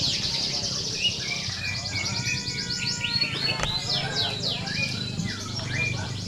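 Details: Canaries in a contest simulation for training. Sweeping, quickly repeated trill notes and a short held whistle among overlapping birds, with quieter human voices and hum beneath.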